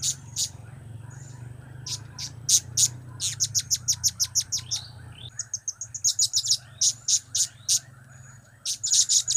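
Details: Energetic blue-crowned hanging parrot calling in cap, kiak and crap styles: long bursts of rapid, piercing high ticks and chirps in uneven runs, with a low droning hum underneath for the first half.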